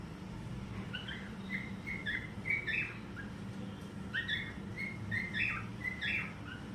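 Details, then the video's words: Cockatiel singing in good weather: a series of short whistled, harmonic chirps, some rising and some falling, repeated in two loose bursts over a steady low background rumble. "Cocktail Singing"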